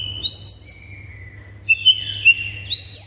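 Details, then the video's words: White-rumped shama song for stirring silent shamas to reply: thin, high, clear whistles in short repeated notes, a pause, then a cluster of sharp high chirps and more repeated whistles. "BIKIN MURAI BATU MANDEK SEKETIKA NYAUT GACOR & NAIK EMOSINYA"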